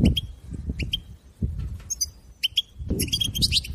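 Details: Goldfinch chirping meant to stimulate a caged goldfinch into song: scattered sharp metallic chirps and brief twittered notes, thickening into a quick cluster at the end, with low thumping noise underneath.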